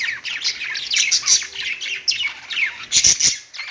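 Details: Budgies warbling on a perch: fast, scratchy chirps and squeaks running together, ending in a cluster of loud clicking notes.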